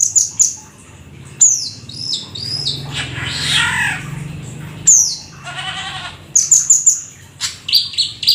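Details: Black-winged starling, described as a rare exotic bird, singing vigorously in a full mimicry-laden style: sharp high whistled notes, descending slurs, a harsh buzzy rasp and a rattling trill, all separated by short pauses.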